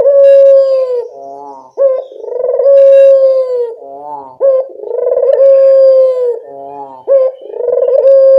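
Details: Loud, close cooing of a local collared dove used as a lure: hollow, buzzy phrase openings and long level notes, repeated steadily about every two and a half seconds.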